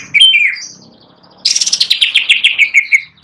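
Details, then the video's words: A perched Greater green leafbird in full song opens with falling whistled slurs, pauses, then bursts into a rapid run of bright chirps stepping down in pitch. "Cucak Ijo Gacor Nagen (nyawan di tangkringan)"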